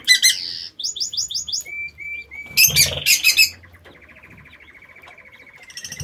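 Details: Lovebirds kept in a home aviary: sharp, shrill broadband chirps, a run of quick buzzy notes, then thin whistled tones and a long rapid trill, with faint low rumbles beneath.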